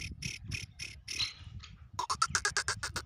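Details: Black francolin (kala teetar) giving its 'masti' voice: five spaced harsh, buzzy bursts, a brief lull, then a quicker run of rapid grating notes; low rumbling background throughout.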